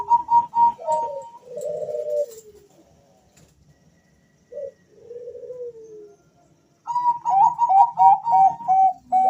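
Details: Two male zebra doves calling back and forth: a run of clipped high coos, then soft descending burry notes, a pause, and another bout of rapid bubbling coos from the second bird.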